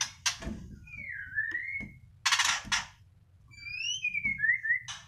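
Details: A captive White-rumped shama, moulting yet still singing, gives clear, sliding whistles in a small room: a falling-rising phrase, then rising and falling notes mixed with harsh, scratchy bursts.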